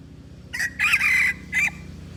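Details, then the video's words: Red junglefowl from Aceh crowing as a lure for wild birds, one brief harsh note followed by a longer strained middle phrase and a short final syllable, all within about a second. "Pikat ayam hutan aceh"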